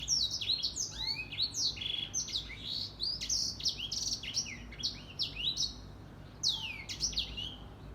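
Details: Grey singing finch singing in the morning: rapid high chirps and sweeping whistled notes in dense bursts, short pauses between phrases.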